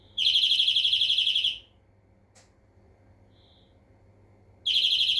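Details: Greenfinch song with a rapid, rolling trill of buzzy repeated notes, a quiet gap with a faint click and short soft note, then another trill beginning.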